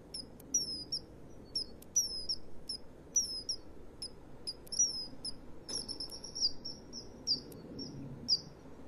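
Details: Begging female common kingfisher, 2 March 2015 at 13:29, calling to a male who then brings her a fish: a rapid, irregular run of piercing high whistles, many with a short downward slide, about twenty notes, over faint low rumble.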